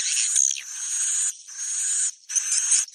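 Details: Mating lure call of edible-nest swiftlets for the rainy breeding season, long shrill buzzing twitters in three sustained bursts separated by short pauses.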